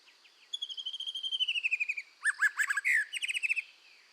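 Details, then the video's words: Red-whiskered bulbul singing strongly during voice training: a long run of quick, evenly repeated descending whistled notes, then a pause and a burst of loud, varied slurred and rapid trilled phrases. "tiếng chim chèo lửa hót căng luyện giọng kích lửa"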